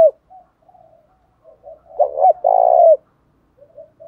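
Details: Spotted dove song used to provoke rival doves, a single low phrase: quiet scattered murmurs, then a quick double coo and a drawn-out loud coo, trailing into soft notes.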